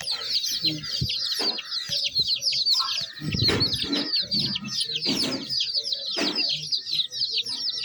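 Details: Baby chicken chicks chirping in a dense, continuous chorus of high, short peeping notes, many overlapping at once, broken by scattered louder bursts of broadband scuffling or clatter.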